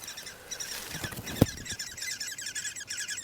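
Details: Woodpecker nestlings in a nest in forest among vineyards in Styria, Austria, just after the mother came in to feed them: a steady high buzzy chattering chorus, with one sharp knock partway through.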